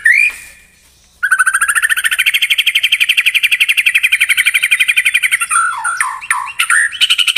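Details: White-rumped shama song used as a lure to get a pet bird singing along: a short rising note, a pause, then a long, fast pulsing trill of many repeated notes, ending in varied, lower, falling phrases.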